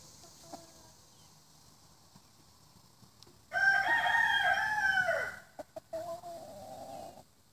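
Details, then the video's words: Rooster crowing: after quiet background with faint clucks, a loud harmonic crow of about one and a half seconds ends on a falling note, followed by clicks and a steadier, lower drawn-out call. "ROOSTERS MAKIN NOISE"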